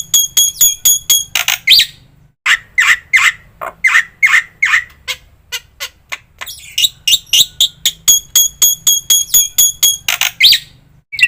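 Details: Black-winged myna song with varied phrasing used as training audio: thin ringing chirps, slower harsh squawks, then rapid chattering runs of high, bright notes.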